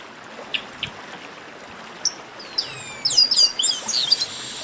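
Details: Baderna song of the chestnut-capped blackbird, used to warm up singing birds: scattered soft ticks, then sweeping whistles that break into a dense, rapid chatter of high slurred notes.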